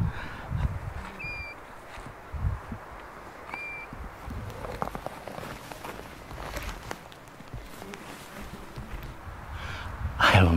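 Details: A male European golden plover, one of a pair, on a summer evening in the Dovre mountains about 30 m away, gives two soft, plaintive whistled notes a couple of seconds apart, over rustling, footsteps and handling noise.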